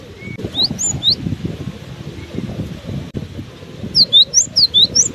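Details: Cinereous tit still singing in strong wind: a short pair of high whistled notes, then a long, fast series of ringing two-note whistles near the end, over a steady low wind roar.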